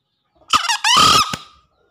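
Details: Green junglefowl lure call, meant to stir newly caught or quiet birds into calling: a loud two-part crow, a short harsh note followed by a longer hoarse, rising-then-level screech that fades out.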